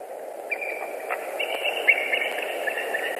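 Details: White-tailed eagle at a Latvian nest on 26 April 2021, afternoon, as the female brings fish, the male arrives and she covers the eggs. Thin, drawn-out level whistles broken by short piping notes over a low wind hum.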